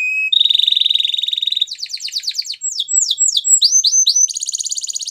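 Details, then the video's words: Belgian canary training song with a long even rolling trill, then fast sweeping notes, clipped descending whistles, and a closing high buzzy roll. "Canary Training Song Video | Belgian Canary Singing"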